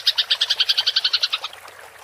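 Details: Brief burst of house sparrow fighting chatter, the rolling 'ngerol' style used to train songbirds: about fourteen quick, clipped high chirps in a tight sequence, then it stops.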